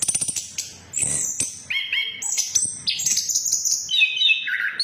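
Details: Orange-headed thrush lure song, in a 'ngeplong' style, for birds that have gone quiet: opens with fast repeated ticks, then rich whistled phrases that fall and rise across the range.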